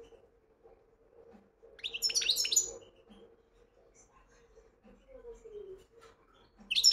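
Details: European goldfinch in wedani song: one short burst of sharp, high twittering notes amid a faint steady hum and soft knocks, with another phrase starting at the very end.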